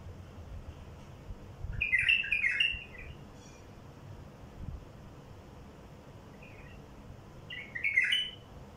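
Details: Wild bulbul singing, a recording meant to draw in wild bulbuls: three separate bubbly warbled phrases spaced several seconds apart, the first and last loudest, against a quiet low background.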